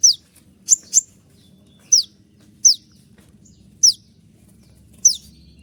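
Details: Konin in moult yet singing vigorously, a 'tembakan' (shot-like) style used as a master recording for training birds: sharp, very high, steeply falling whistled notes, one or two at a time, spaced about a second apart over faint low hum.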